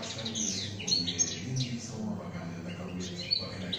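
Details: Caged European goldfinch singing in the 'şak şak' style: bright, high twittering phrases of quick chirps and short buzzes, with a steady low hum underneath.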